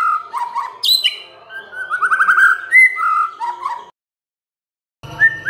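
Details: White-rumped shama singing to provoke other birds to sing: sweet whistled phrases and a fast rolling trill, high sharp accents, then a pause and a brief low rumble with another whistle.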